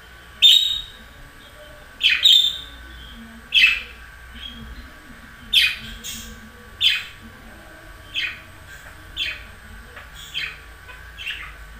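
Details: Sequence of clipped, high budgerigar chirps at irregular intervals, loud at first and then softer and more closely spaced toward the end.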